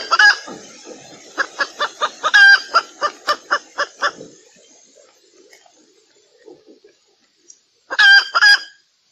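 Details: Hen heard during mating in valentine season: a regular string of short clucks over low background rustling, fading into quiet scuffling, then two loud harsh squawks near the end.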